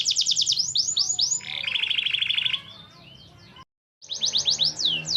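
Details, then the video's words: A Parisian Frill canary gives fast sweeping notes, then a lower buzzy rolling trill that fades out. After a short silence, bright descending chirps resume. "كناري مفتل فريزي باريسي"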